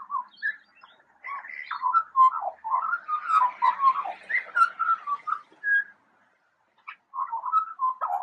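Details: Eurasian magpie imitating siren sounds: a run of whistled, warbling notes that slide up and down, rapid and varied for several seconds, then a pause and a shorter burst of similar wavering tones.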